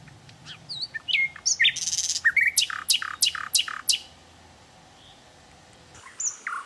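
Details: Free-living sikatan londo twittering: whistled slurs and a buzzy trill, then a row of loud, evenly spaced down-slurred chirps. A pause follows before a final burst of notes, with a low hum beneath.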